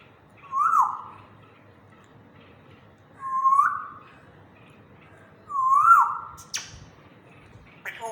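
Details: Pet African grey parrot in a happy mood, vocalising in a slow voice. Three clear whistled notes rise and then dip, spaced about two and a half seconds apart in a quiet room, ending with a few clicks.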